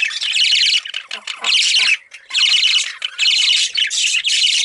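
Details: A young budgie kept as a pet gives harsh, buzzy rasping chirps in bursts of about a second, some five in under five seconds with brief gaps, loud and close.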